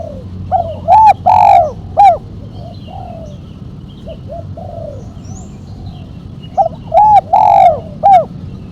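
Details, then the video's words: Spotted dove, sharp 'mercik' song with a single 'kuk', suited to luring and training: a loud four-part coo phrase, a quieter echoing version of it, then the loud phrase again about six seconds later; faint high bird chirps behind. "Burung tekukur suara MERCIK kuk 1 tajam"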